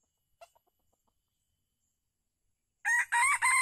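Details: An old wild red junglefowl, lured during a decoy-trapping session at Calang, Aceh Jaya, on 12 February 2020, gives one short, clipped crow in three harsh, rising bursts after near-silence broken only by faint ticks.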